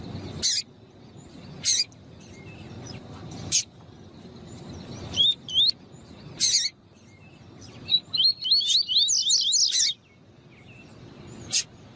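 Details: Double-collared seedeater in 'tui tui' style, male singing and female calling to stimulate song: several sharp clicks spaced apart, a short pair of high notes, then a dense two-second burst of rapid wavy whistles before quiet.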